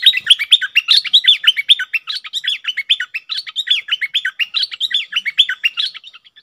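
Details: Cream-vented bulbul on 18 June 2021, singing the double song style as an unbroken stream of quick, bubbly, up-and-down notes, steady and energetic throughout.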